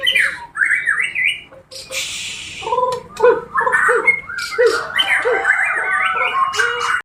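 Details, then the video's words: Aggressive, hard-singing Bornean white-rumped shama delivering harsh squawks and a rasping buzzy burst, followed by low clipped notes and bright rising whistled phrases that blend into a continuous, varied chatter. "Burung murai borneo gacor dan agresif"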